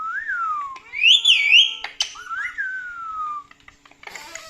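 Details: Chatty pet male parrot indoors, laughing while watching his own funny clips: long sliding whistles that rise then fall slowly, a bright wavering high whistle, then a short burst of noise at the end.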